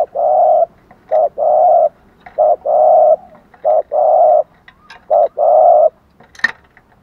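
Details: Spotted dove giving thúc gù and gáy gọi cooing used to stir up and lure wild doves: low hollow coos in four paired bursts, a short coo followed by a longer drawn-out one, with a sharp click near the end.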